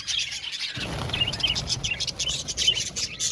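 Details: Budgies in an aviary flock give rapid high chirps and warbled notes, several short whistles popping out of the chatter, with a low rumbling background noise after the first second.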